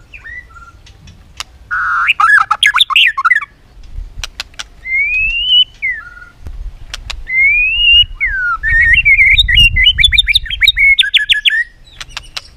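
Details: White-rumped shama, clicking and tail-flicking while singing competitively: fast jumbled notes, slurred whistled phrases rising and falling, then a quick stuttering run of notes, with clicks and a low rumbling background noise.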